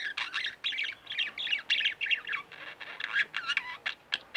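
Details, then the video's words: Two home-kept pet budgerigars squawk and chirp in rapid, scratchy bursts, harsh chattering notes following one another with short gaps throughout. "Budgie Birds Extravaganza-Relax With My Budgies"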